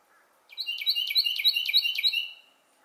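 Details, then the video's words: Carolina wren singing at Glebe Park, Siesta Key, Florida: a loud, rolling series of about seven quick, identical two-part phrases, each sliding down then ringing, delivered in under two seconds against a quiet background. "Carolina Wren Singing"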